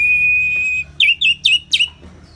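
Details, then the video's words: Orange-headed thrush ngeplong song with rain: a long, even whistled tone, then four quick, loud, downward-curving whistled notes in a row. "Terapi ANIS MERAH Ngeplong dan Suara Hujan ALAMI"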